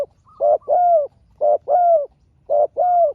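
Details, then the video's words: Spotted dove calling against a rival wild dove, answers exchanged one at a time: three mellow double coos about once a second, a short hoot then a longer slurred note dropping at its end. "เสียงนกเขาใหญ่ เจอนนกป่าเสียงเล็กคูดีคูสู้กันอยู่นานกว่าจะติดแลกกกันคนละทีทีีลุ้นมันเลย"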